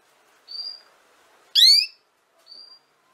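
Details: Canary meant as a model for young canaries learning to sing: a thin level whistle, then a single loud, harmonically rich chirp sweeping downward. Another short faint whistle follows.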